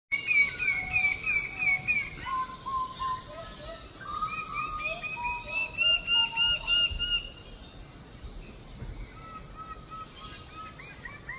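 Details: Lesser bird-of-paradise, known locally as Cendrawasih, in Papua: rapid runs of hooked, ringing notes, several voices at different pitches overlapping for about seven seconds, then quieter scattered notes over a steady background hiss.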